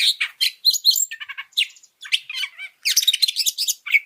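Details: Oriental magpie-robin song used to rouse other birds in training: fast chirps and twittering notes in tight clusters, with a dense rapid flurry near the end.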